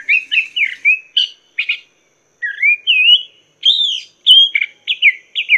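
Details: Chinese hwamei song for teaching cage songbirds: lively looping whistles and sharp chips in quick groups, a brief pause, then more ringing whistled phrases.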